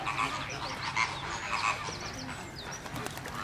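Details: Plumed Whistling Ducks at Slimbridge give busy, overlapping high whistles and short twittering notes, several birds calling at once over a steady murmur.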